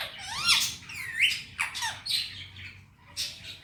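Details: Male Indian ringneck parrot, a talking pet, speaking Hindi-Urdu words: rising and falling whistled-sounding slides mixed with scratchy, breathy syllables in a short phrase.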